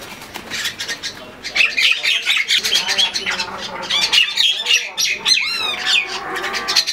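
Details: Quarrelling common mynas in Bangladesh: quieter scattered notes at first, then a loud stretch of harsh, grating squawks and chatter. A rising whistled note stands out near the end.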